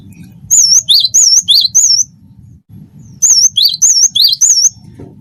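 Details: Cinereous tit, locally gelatik batu wingko, in lively song: two bursts of ringing, wavy whistled phrases, each pairing a high note with a lower one and repeated four times, with a quiet gap between and soft low rumble beneath.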